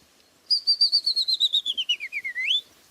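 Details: A common chaffinch in France sings its familiar spring ritornello, a bright, rattling cascade of about fifteen quick notes falling steadily in pitch, ending in a sharp upward flourish; nothing else is heard.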